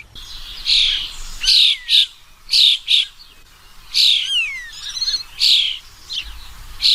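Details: A bird calls with rough, high notes, several trailing off into clear descending whistled slurs, over a steady hissy background.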